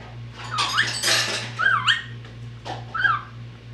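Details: Pet parrot indoors mimicking whistling, meowing and barking; here three clear whistled phrases, each sliding up then down, with a louder noisy burst between the first two and a steady low hum throughout.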